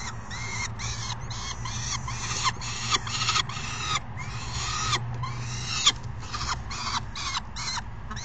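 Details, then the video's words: Peregrine falcon babies screeching at an adult, midday May 29, 2022: a continuous stream of hoarse, grating screams in quick pulses, with a faint steady low drone beneath. "Babies screech at Ares"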